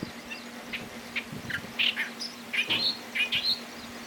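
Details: Clamorous reed warbler at Bhigwan in December 2023: a loose series of short, harsh, chirped notes, some doubled or rising, repeated irregularly over four seconds, with a steady low hum underneath.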